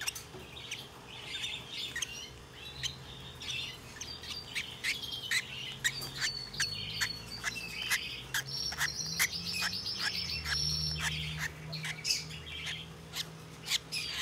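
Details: Turquoise-rumped lovebird chick, hand-raised, giving busy sequences of scratchy chirps and higher squeaky notes mixed with many sharp clicks, over a constant low electrical hum.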